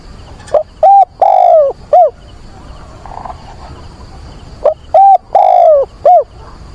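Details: Caged decoy dove calling for a mate on a windy, rainy 24 September, luring wild doves: two mellow cooing phrases, each a quick note, a bent coo, a long sliding falling coo and a short closing note, with soft noise between.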